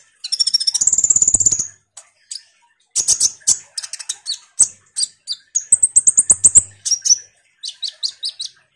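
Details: Common iora chattering strongly to provoke sunbirds: opens with a fast buzzy high trill lasting over a second, then scattered sharp chips and another rapid rattling trill later.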